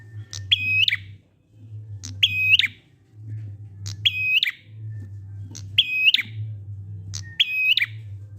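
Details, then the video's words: Five buzzy prinia phrases about a second and a half apart, each a sharp high note followed by a harsh, stepped rattle. Ngalun song used to coax quiet prinias into singing. A loud, steady low hum runs underneath. "Prenjak ngalun ampuh 100% buat prenjak macet agar ikut bunyi"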